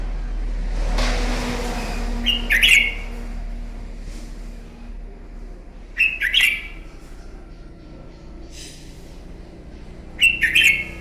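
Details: Red-whiskered bulbul fighting song in the morning to train a bird: three short loud chattering whistled bursts spaced about four seconds apart, over a steady low hum and a brief hiss early on.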